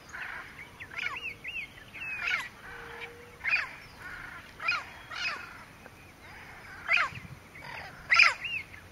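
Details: Southern screamers with a juvenile at Porto Jofre in the Pantanal, Brazil, on 25 September 2013, give loud, honking, trumpet-like calls in uneven bursts about every second or two, with fainter chirps and whistles from other birds between them.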